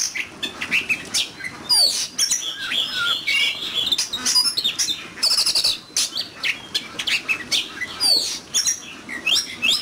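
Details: Competition singing from an oriental magpie-robin: a continuous, busy run of high sweet whistles, quick chirps and swept notes, fired in rapid bursts with short gaps over about ten seconds.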